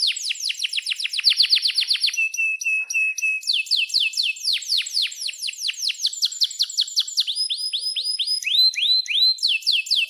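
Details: Lively Atlantic canary song for tutoring young and non-singing canaries. Rapid falling sweeps come in series, interrupted by a level whistled note, then more rolling runs of down-slurred notes.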